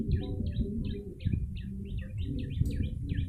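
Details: Luring call of a yellow-bellied prinia: twangy, downward-bending chirps about three per second, some doubled, set against a loud low hum and rumble.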